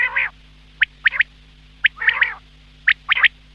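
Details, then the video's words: Quail giving harsh, nasal buzzy calls mixed with quick clusters of sharp whistled clicks in pairs and threes, roughly one burst each second, with a faint steady hum underneath. "Quail Sound , Bater Ki Awaz subbha keliey ,Bedana Ovozi,бедана сайраши,"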